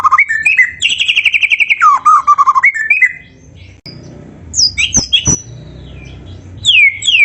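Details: White-rumped shama singing in the Malay song style: loud, varied whistled phrases, a fast trill of rapid repeated notes, lower warbled runs, then sharp clicks and high descending slurred whistles after a brief pause.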